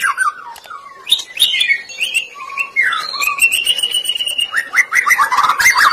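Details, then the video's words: White-rumped shama song used as a lure recording to make shamas sing: rich varied whistled phrases, slurred notes sliding between low and high pitch, with sharp chips and rapid trills mixed in, flowing almost continuously. "PANCINGAN BUAT MURAI BATU, AUTO FULL GACOR"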